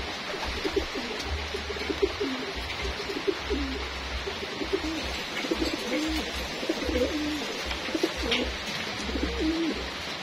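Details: Several racing homing pigeons at feeding time coo in low, throaty, wavering phrases that overlap almost continuously, over a steady low mechanical hum.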